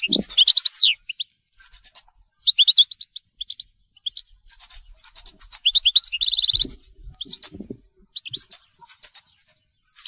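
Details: European goldfinch song in the telqam style: bright, rapid twittering phrases of high chirps, trills and slurred notes separated by brief pauses, including one fast buzzy rattle midway, with soft low knocks in the background.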